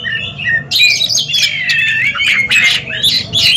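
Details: Caged Oriental magpie-robins dueling in a song contest: loud, slurred whistles and scratchy squawking notes run together over a low background rumble.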